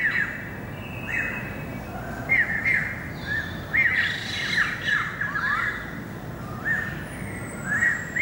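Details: Singing greater racket-tailed drongo, dated 7 February 2018, delivering a varied run of slurred, downward-sweeping squawks and metallic chirps in irregular clusters, with a faint high whistle near the end and constant background hiss.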